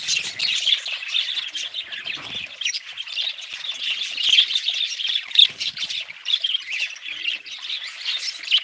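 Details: Continuous budgerigar chatter: harsh squawks and thin tweets from many birds at once, with a steady high warble underneath and frequent sharp peaks.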